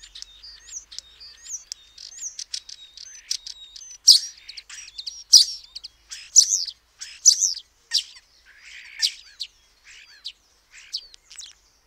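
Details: Common starling delivers a varied medley: thin whistles and soft clicks at first, then louder sharp clicks, squeaks and slurred whistled phrases in uneven bursts, with no other sounds.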